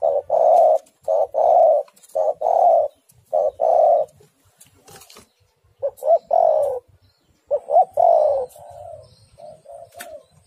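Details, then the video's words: Coo call of a female spotted dove calling the male. Repeated husky coos in short-long pairs open the clip. After a pause, softer coos with rising-falling inflection trail off into faint murmured notes. "Tekukur super gacor betina memanggil jantan pasti nyaut"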